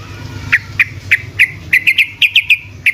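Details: Sooty-headed bulbul song played to provoke other bulbuls: a string of short clear chirps, each a quick downward-bending note, repeated several times a second and quickening, over a low hum.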